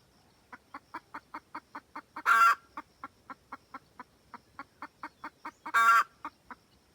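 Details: Red junglefowl hen, wild type, calling the rooster with a cackle: rapid evenly spaced clucks, about four a second, broken twice by a loud harsh drawn-out squawk, then the clucking resumes. Quiet background.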